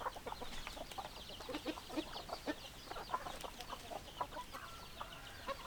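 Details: Several chickens cluck in quick, choppy bursts, notes short and repeated almost continuously, with higher thin chirps mixed in above and a constant soft noise floor behind the flock.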